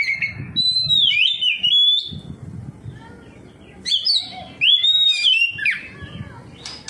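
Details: Oriental magpie-robin singing back at another magpie-robin: a bright whistled phrase with twisting slurs, a pause with low background noise, then further sharp rising and falling whistled bursts.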